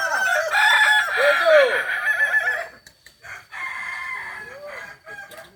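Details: Kokok Balenggek roosters crowing at joint training in Ampang Kualo, Kota Solok; a strong crow with rising and falling syllables, then softer scattered crowing from farther birds.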